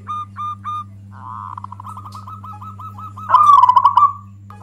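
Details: Zebra dove, local type, singing loudly to rile other doves, suited for luring: three short coos, a long soft stuttering run of notes, then a bright bubbling trill; low hum throughout.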